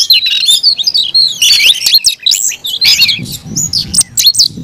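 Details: Oriental magpie-robin, caged, singing a heated fighting song of quick chirps, clear whistles and swooping slurred notes, delivered continuously, with soft low background noise.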